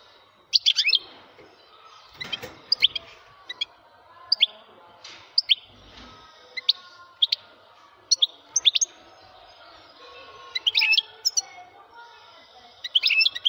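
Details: Male European goldfinch giving scattered short, high twittering chirps and brief trilled notes at irregular intervals over a quiet background.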